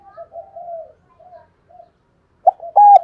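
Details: Decoy spotted dove in the Vietnamese 'thổ đồng' voice style, cooing to lure wild doves: soft low hooted coos in a broken series, then a loud, harsh, emphatic coo at the end.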